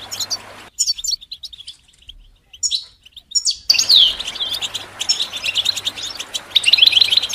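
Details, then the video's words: European goldfinch song: scattered high chirps over near silence, then a full burst of fast twittering with a slurred whistle and buzzy trills. "The finest goldfinch chirps and songs for listening and training birds"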